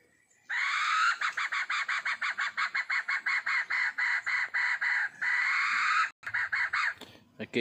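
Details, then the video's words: A red junglefowl hen cackles in a fast, harsh run of clucks, several a second for about five seconds, then a brief pause and a few more notes. "Kekek ayam hutan berina"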